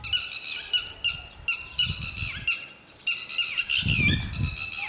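A lapwing gives harsh, wheezy squealing calls several times a second, with bursts of low wind rumble.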